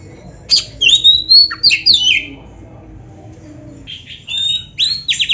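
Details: Oriental magpie-robin singing lively training song: a run of bright, sliding whistles and downward swoops, a quiet gap, then a new phrase of rapid, scratchy, repeated notes.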